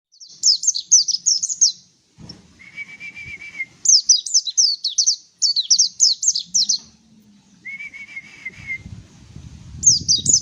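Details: Mountain white-eye singing: bursts of rapid, high, down-slurred twittering notes about 1.5 seconds long, alternating with a lower, steady, slightly trilled whistle, with faint low rumbling between phrases.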